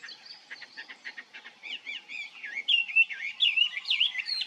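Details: Chinese hwamei in the wild singing a varied phrase: a quick series of short dry repeated notes builds into loud, rich, warbled whistles that loop up and down, growing stronger toward the end.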